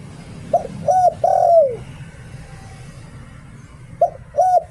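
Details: Spotted dove decoy singing the 'liu tan' style. A three-part coo phrase ends in a long descending hoot. After a pause, a second phrase starts. Faint steady noise lies underneath.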